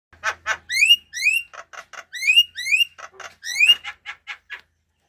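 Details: Bird singing indoors: buzzy bursts alternate with bright, rising whistled notes carrying ringing overtones, delivered in a quick, uneven run of about a dozen phrases over five seconds, with a faint low hum at the start.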